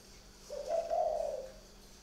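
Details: Spotted dove at night in a northern Vietnamese bird garden near Ba Vì, Hanoi, giving a single low, mellow coo lasting about one second with a slight waver in the middle, over a quiet background.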